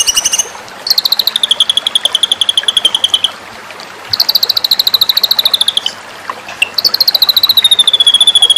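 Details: White-rumped shama in a masteran series for song-competition training. Three long, rapid, rattling trills, each starting high and easing lower in pitch, separated by short quieter gaps with faint chirps.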